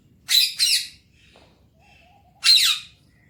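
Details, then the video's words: Talking pet Alexandrine parakeet in the morning: two quick harsh squawks in succession, a pause of over a second, then a third loud rasping squawk; background otherwise quiet. "talking parrot Mithu enjoying morning time | alexandrine parrot enjoying morning time"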